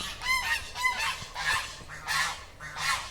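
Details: Domestic geese kept in a yard, fed seeds, honking in a loose series of harsh, nasal calls, about five honks in three seconds, some with a rising squeal.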